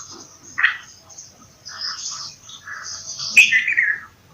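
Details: Bulbul giving a short, bright note, then a sharp, sliding downward whistle near the end, over soft warbling and steady high chirping from other birds.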